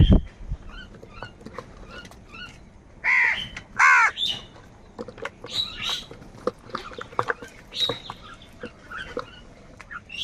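Crow giving two loud, harsh caws close together, then softer scattered calls, with other birds chirping in the background.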